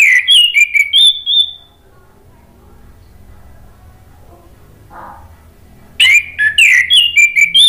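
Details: Male orange-headed thrush, a kept bird, singing spontaneously as a lure and therapy song: a burst of loud, bright whistled phrases with rising and falling notes, then about four seconds of quiet low hum before another rapid whistled burst.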